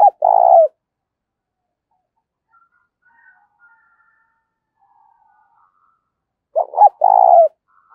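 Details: Provocative lure cooing of a spotted dove: two loud phrases about six seconds apart, each a broken double coo running into a longer throaty trill, with very faint sounds in the gap.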